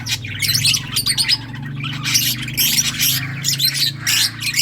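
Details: Several lovebirds of mixed colours chirping together, dense harsh squeaky chatter and shrill overlapping notes in quick bursts, with a steady low hum underneath throughout.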